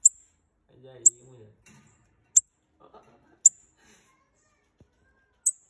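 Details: A pair of captive bananaquits calling, played to excite another bird: five very high, thin, sharp notes, spaced one to two seconds apart. A man talks quietly underneath.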